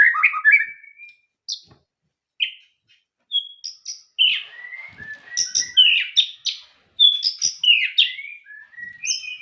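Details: White-rumped shama singing varied phrases: slurred whistles, high sharp notes and rich warbles separated by short silences, growing denser toward the end.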